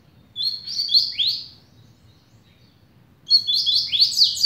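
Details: Velocista double-collared seedeater of the patrão style beginning to sing, delivering two rapid, high, buzzy runs of descending slurred notes, each about a second long, with a quiet gap between and low background hum.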